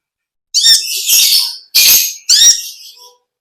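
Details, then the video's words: Olive-backed sunbird, known locally as konin or kolibri ninja, in long chattering ngekek style; four harsh, buzzy, very high bursts, the second and last stretched out, with brief pauses between and a quiet background. "Original sound konin kolibri ninja suara lb ngekek panjang gacor"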